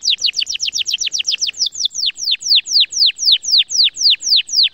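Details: A canary sings a bright, rapid series of high, downward-swept whistles that slow into a steadier phrase; song offered as a master for young or non-singing canaries.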